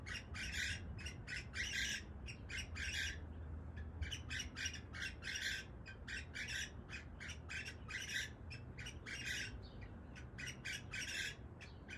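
Cockatiels give harsh, grating squawks in quick, uneven bursts over a low background hum.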